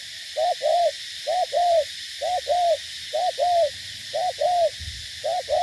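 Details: Decoy spotted dove from Cà Mau, Vietnam, giving steady mellow coos in paired phrases, a brief note followed by a longer drawn note, repeating about once a second against faint background hiss.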